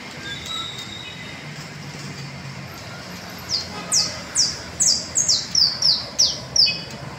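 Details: Singing canario basto, Las Delicias valley: after a quiet start with a distant low drone, a quickening run of high downward-sweeping whistles, about nine in four seconds.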